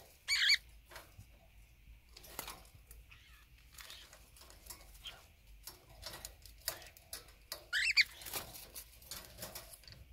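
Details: Pet conure pair fighting while bathing in their drinking water, 23 February 2019: two short, harsh, buzzy squawks, one near the start and one near the end, between splashing and pattering water sounds.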